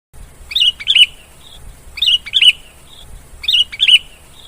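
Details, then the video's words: Sooty-headed bulbul song: a short, bright, bubbly phrase of rolling whistled notes, repeated three times at intervals of about one and a half seconds, over a faint low rumble. "Kicau Suara Burung Kutilang"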